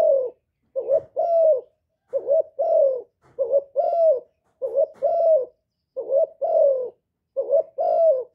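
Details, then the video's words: Calling spotted dove played to stimulate kept birds: low, soft two-note phrases, a clipped coo and a drawn-out descending one, repeating about every 1.2 seconds in a quiet recording with no other sounds. "TIẾNG CHIM CU GÁY KÍCH MỒI RẤT HIỆU QUẢ, CU GÁY KÍCH TRỐNG CỰC HAY"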